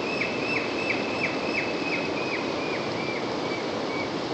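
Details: White-throated dipper fledgling being fed, giving a steady series of short, sharp, high begging notes about three per second over the loud, constant roar of rushing water.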